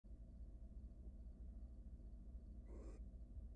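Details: Wild male barn owl at a monitored nest box, stealing his mate's food and flying off; one short harsh hissing screech bursts out near the end over a steady low electrical hum.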